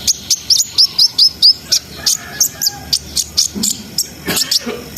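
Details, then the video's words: Brown-throated sunbird singing ngriwik-ngerol style to build breeding arousal: a rapid series of about seven high, clipped whistled notes roughly four per second, then looser high chips, over faint low noise. "SUARA KONIN GACOR NGRIWIK NGEROL SAMBUNG NEMBAK !! COCOK BUAT NAIKNA BIRAHI BAHAN"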